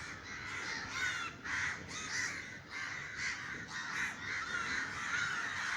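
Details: Startled crows in Sri Lanka, scattered over a garden by a neighbour's crow-scaring gunshot, call in rough, grating caws at irregular intervals, several birds overlapping at once.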